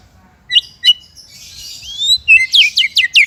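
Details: White-rumped shama used for training songbirds: two isolated sharp chips, a soft rising whistle, then five quick loud downslurred notes at the end.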